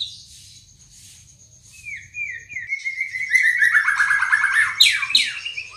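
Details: White-rumped shama singing, opening with soft high notes, then a long wavering whistle that swells into a rapid, loud, complex warbled run with sharp downslurs near the end.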